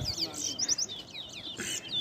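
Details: Towa towa (large-billed seed finch) in a competition bout at Ana Regina Park, Essequibo, Guyana, 2021: dense rapid run of high chirps and downslurred whistles, with a voice counting nearby.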